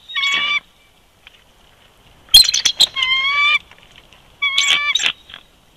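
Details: Bald eagle duet at the old nest snag, Big Bear Lake, California, winter 2020, nest camera: three bouts of loud squealing, each a long whistled note tangled with harsh, broadband chattering, separated by quiet pauses.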